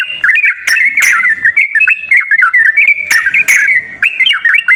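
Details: Lure track of yellow-vented bulbul song meant to coax a quiet bird into singing: a steady flow of short, chirpy whistles warbling up and down, with a few sharp clicks between phrases.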